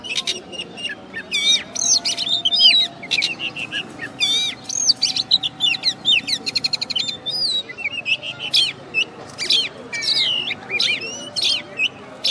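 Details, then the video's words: Champion oriental magpie-robin, winner of a West Kalimantan singing contest, delivers a dense, nonstop medley of sharp whistles, looping slurs, rapid chattering trills and high ticks, phrases tumbling one after another with barely a gap. "Video Kacer Juara 1 Habis Gantang"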